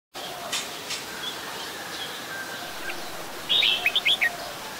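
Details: An adult Red-whiskered Bulbul photographed in Ubon Ratchathani, Thailand, on 16 December 2020 gives a short burst of bright, chirpy whistled notes near the end, over steady background hiss and faint distant calls.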